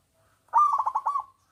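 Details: Big-voiced local zebra dove, used to prompt other doves to sing: one clear cooing phrase that opens with a drawn note and breaks into about five quick rolling pulses, with silence around it.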